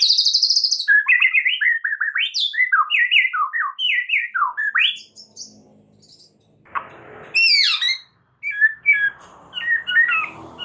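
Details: White-rumped shama song from a masteran recording used to make shamas excited and singing: quick looping whistled phrases, then a noisy pause before high sweeping notes and scattered chattery calls.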